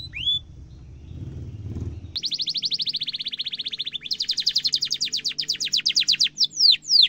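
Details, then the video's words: Young-canary training song from a canary with a sharp roll: after a brief whistle and low noise, long fast trills run for several seconds, closing with downslurred whistles. "kenari gacor ngerol tajam cuit cuit kenari bisu langsung nyaut efektif untuk masteran kenari muda"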